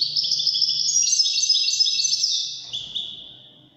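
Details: European goldfinch in Wedani style song: a fast, bright run of twittering chirps and liquid notes that ends in a drawn-out, fading high tone.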